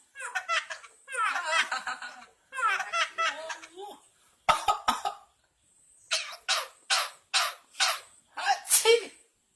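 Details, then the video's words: Javan myna mimicking human coughing and laughing: bursts of harsh, broadband cough-like sounds, a few sharp clicks, then a run of six or seven evenly spaced chuckling notes like laughter, in a quiet setting. "Jalak kebo kocak bisa batuk & Ketawa"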